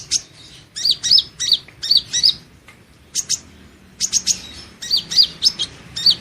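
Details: Van Hasselt's sunbird in song training: lively clusters of piercing high chirps with bent down-up pitch, mixed with thin ticks, delivered in quick runs broken by short silences.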